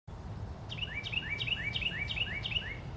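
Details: Carolina wren (Thryothorus ludovicianus) calling: a loud, rolling run of quick two-part phrases, each a high note dropping into a lower slurred whistle, about three a second, over a low background rumble.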